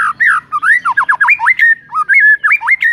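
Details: White-rumped shama song played to rouse a sluggish shama: fast varied whistles, dipping and rising slurs in quick succession, ending on a sustained clear note.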